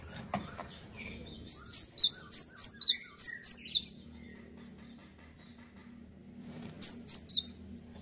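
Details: Male cinereous tit in full song: about ten rapid, ringing two-note phrases in a steady run, a pause, then three more, over a low constant hum.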